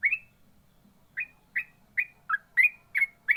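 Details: Trucukan, the yellow-vented bulbul, giving ropel-style song: bright, clipped whistled notes with upward flicks, spaced roughly every third of a second, some falling lower in pitch, over faint low background hum.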